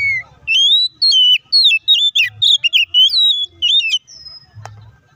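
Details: Oriental magpie-robin song aimed at provoking other magpie-robins to react emotionally and sing. It is a dense, energetic sequence of clear high whistles, rising sweeps and quick chirps lasting about four seconds, followed by a brief low thump.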